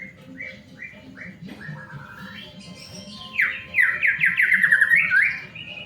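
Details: A white-rumped shama sings, used as a lure to make other shamas start singing: short separate whistles, then a loud fast chattering trill with sharp rising notes, ending in a steady high whistle.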